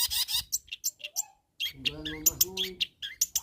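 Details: Long-tailed shrike calling to rivals: harsh, scratchy chirps in quick bursts, a short gap, then a mix of buzzy notes, rising squeaks and lower harmonic tones.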